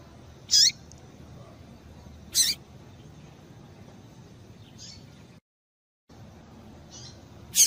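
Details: Female double-collared seedeater calling to excite the male: short, bright, high chips, each under half a second, three loud ones spaced irregularly and two fainter ones between, over a steady low hiss with a brief silent gap.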